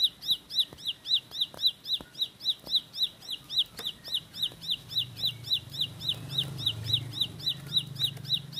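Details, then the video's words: Bar-winged prinia (ciblek sawah, ciblek pari) delivering a fast roll style song: bright, sharply rising notes repeated about four times a second, steady throughout, with a low hum and a few clicks beneath. "Tembakan Roll Spead Ciblek Lagu Full Kolibri"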